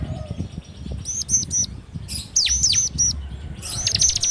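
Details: Bar-winged prinia (ciblek) song used as a lure for training birds, in the rapid 'ngebren' style, recorded on an Android phone: short bursts of very high, thin repeated notes and sharp downswept chips, with gaps of low background hum.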